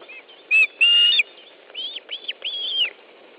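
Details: Osprey nest in Estonia on 10 July 2013, 13.20, fish delivery: two loud flat whistles followed by three softer arched, slurred whistled notes over a faint background hiss.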